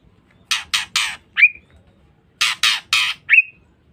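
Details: Female white-rumped shama used to provoke males: two sets of three loud harsh rasping notes, each set ending in a short sharp rising chip.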